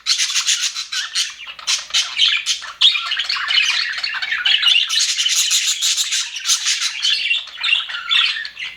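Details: Budgies in an aviary sounding happy: dense high warbling and buzzy chirps, with a thinner start swelling into a continuous flock chatter.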